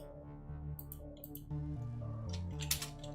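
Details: Low brass-like music with shifting bass notes, joined by short bursts of clicking and tapping; no animal calls are present.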